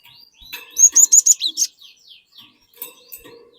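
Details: Cinereous tit in full song, used to lure untrained birds into singing loudly: a quick run of four or five sharp, high, whistled notes, then a lower slurred note, with soft chirps before and after.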